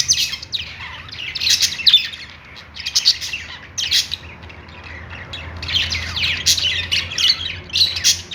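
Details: Several budgerigars singing on a perch, producing bursts of buzzy, warbling chatter with brief gaps between phrases and a soft low hum behind them.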